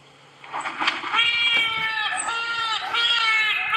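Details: Trumpeter hornbill call played back on a sunrise safari drive on August 13, 2016, where the species is unusual: nasal, wailing, baby-like cries with drawn-out harmonic notes rising and dipping in quick succession.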